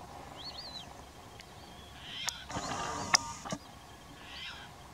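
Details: Caspian tern (Hydroprogne caspia) at Szczecin Lagoon, Świnoujście, Poland, 7 September 2018, gives a single harsh, raspy, drawn-out screech lasting about a second, with faint thin whistles from another bird before it.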